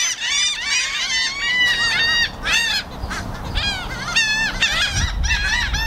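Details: Gulls, including black-headed gulls, yelling loudly, recorded with a stereo camera microphone: dense overlapping harsh, arched squawks from many birds, rising and falling, nearly continuous, with wind-like low rumble underneath.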